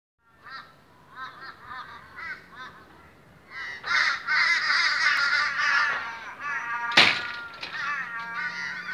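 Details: A boisterous morning gathering of Australian ravens: a few soft, separated nasal notes, then from about four seconds a dense, loud chorus of overlapping harsh, harmonic calls with one sharp burst near the end.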